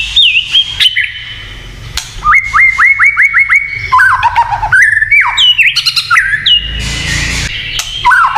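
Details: White-rumped shama 'kretekan' song aimed at provoking other shamas: a fast series of about seven upswept whistles, descending slurs, harsh ticks and varied whistled phrases.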